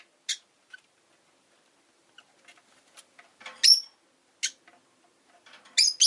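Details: Shrill, scratchy chirps from Rosy-faced lovebirds, five birds in a windowside cage during a calm afternoon, scattered irregularly with soft ticking sounds between calls and a cluster of loud calls at the end.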